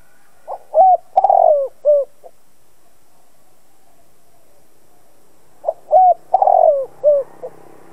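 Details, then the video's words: Spotted dove cooing as a lure to make other doves call back; two complete phrases about five seconds apart, each a quick short note, a hooting coo, a long wavering falling coo and a soft closing note, with quiet pauses between. "Chim cu gáy mồi cây gáy gọi kích bổi tập mồi căng lửa. Cu đất gáy kích bổi."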